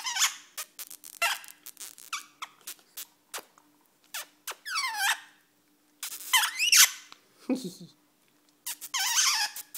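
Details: Pet rainbow lorikeet indoors, said to be saying "kiss kiss" to its owner: sharp squeaky clicks, bursts of shrill rising-and-falling squeals, and one lower buzzy note, with short silences in between.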